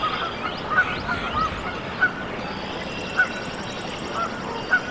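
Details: Canada goose goslings just hatched in a nest in Decorah, Iowa, USA, on 14 April 2024: brief bright peeps at irregular intervals of roughly one second, over a faint high trilling songbird and soft background hiss.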